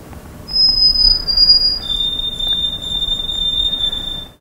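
White-throated Sparrow giving clear, pure whistles: a high held note, then a slightly lower one drawn out for over two seconds, over faint background hiss.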